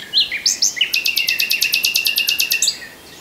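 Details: Common nightingale song opening with a few slurred whistles, then a long, very fast rattling trill of identical sharp notes, roughly five per second, ending abruptly after nearly two seconds.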